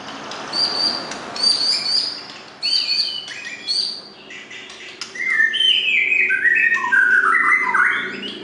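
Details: White-rumped shama singing clear, melodious song: a series of high, short whistled phrases, then richer, lower phrases that rise and fall in a varied, flowing sequence, over soft background hiss.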